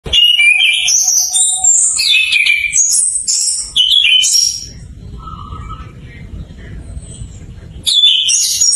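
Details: Orange-headed thrush learning to sing in full, used as a lure to get stalled thrushes singing: rapid varied whistled and chattering phrases jumping between mid and very high pitches, then a quiet hissy pause before the song resumes.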